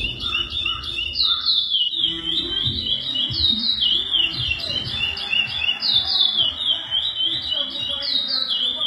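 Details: Classic praia song of a captive-bred lesser seed finch (curió): faint lower chirps first, then loud, fast whistled notes that slur down and rise again in rolling repeated phrases, with soft background noise beneath.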